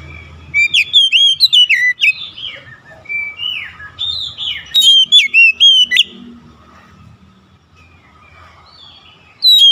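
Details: Oriental magpie-robin singing as quick therapy for a stressed bird: repeated bursts of loud whistled and slurred notes, varied and rapid, with brief gaps and a final short phrase after a quiet stretch.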